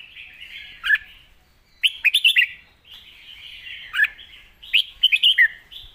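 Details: Red-whiskered bulbul singing a loud, clear 'master song': two bursts of rapid warbled, bouncing notes about a second apart, separated by a softer steady twittering in the background.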